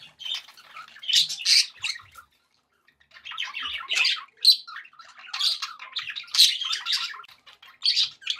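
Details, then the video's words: Budgies chattering happily indoors, clusters of raspy warbles and sharp chirps, a quiet gap of about a second in the middle, then renewed bursts with a few squawks. "happy budgie sounds"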